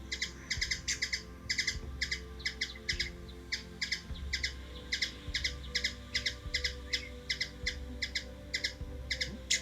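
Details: Steady stream of bright, clipped chips from a hummingbird in Washington DC, USA, often in pairs, over a low background rumble with occasional thumps.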